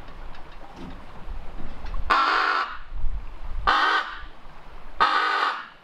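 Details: Captive female raven alone in her aviary, caught by a hidden camera in a chatty mood, giving three loud, harsh, rasping calls about one and a half seconds apart over low rumbling background noise.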